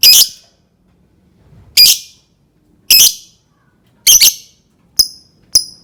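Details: Lovebird learning the 'ngetik' (typing) call: sharp, harsh, high shrieks given singly about once a second, with a pause of over a second, then two short thin clicks near the end.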